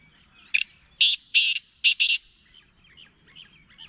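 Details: Kala teetar, the black francolin, calling: a crisp opening note, then four broad, grating notes in a jerky rhythm, with quieter twittering small birds in the background.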